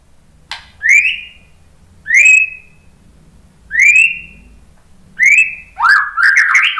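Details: White-rumped shama song used to encourage other shamas to sing. Single clear upslurred whistles repeated about every one and a half seconds, ending in a quicker phrase of rising, slurred notes.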